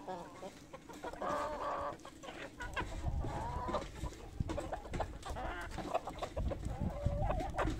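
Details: Poultry flock clucking at feeding time, a happy moment as food arrives; overlapping clucks and harmonic calls near the middle, with low thumping and rustling underneath throughout.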